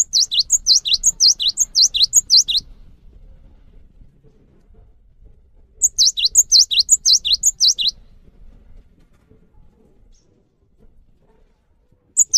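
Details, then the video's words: Cinereous tit singing to spur other cinereous tits into song: two bursts of rapid, high, ringing two-note phrases, each lasting about two seconds, separated by several seconds of quiet, with a third burst starting at the end. "PANCINGAN GELATIK BATU | GELATIK BATU LANGSUNG GACOR SETELAH MENDENGAR INI"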